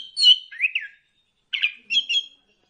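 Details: Short phrases of orange-headed thrush lure song, meant to stimulate birds to sing: two warbled whistled phrases, a pause of about half a second, then two more rippling notes.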